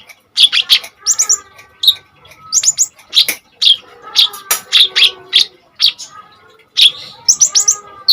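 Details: Common iora in full, fierce rapid-fire song as master material for kolibri ninja birds: clustered high chips and whistled notes in short bursts, about a second apart, over a faint steady hum.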